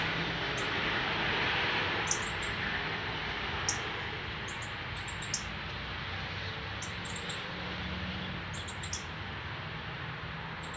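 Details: Northern cardinal fledgling on its first day out of the nest, fed by the male, in Canada on September 12, 2020. Very high, thin chips in quick clusters of two or three, repeated often over steady broadband background hiss.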